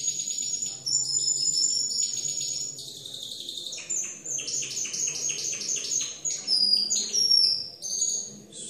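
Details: Timbrado canaries singing at a competition: a rich, high song of rapid rolling trills and bright metallic notes, shifting between phrases every second or two, some phrases pulsed and others drawn out as sweet, ringing whistles.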